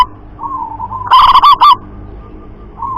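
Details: Local loud-voiced zebra dove: a soft coo leads into a loud stuttering burst of four clipped notes, then fades back into gentle cooing.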